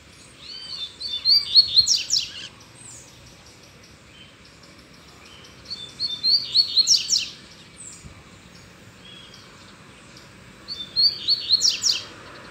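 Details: Free-flying male double-collared seedeater singing with a female nearby, back to normal form: three loud phrases of rapid, high whistles ending in a buzzy flourish, repeated about every four to five seconds.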